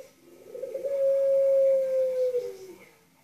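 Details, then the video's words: Dove cooing in the pelung style, recorded indoors in a small room: one long, steady, drawn-out coo lasting about two seconds, holding a level pitch before dropping slightly at the end, with a quiet background. "Puter pelung"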